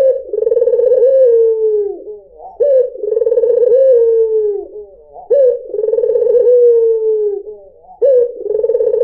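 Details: White dove lure song: steady series of deep trilled coos, each phrase roughly two seconds, opening sharply and gliding down, repeated four times at an even pace.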